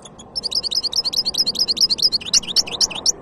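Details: Goldfinch hybrid singing in 2023: a fast run of bright, high twittering notes, rising and falling slurs repeated several times a second for about three seconds, over a faint low background hum.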